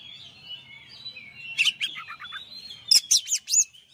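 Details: White-rumped shama, a champion bird, delivering a master song: rapid series of bright whistled and scratchy notes, rising into loud emphatic phrases, with faint chirping of other birds behind.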